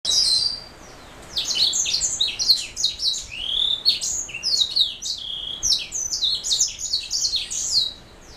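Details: Black-throat mule, a canary hybrid, singing a fast run of high chirps, trills and downward sweeps, with a clear opening phrase, a short pause, then nearly continuous twittering over a quiet background.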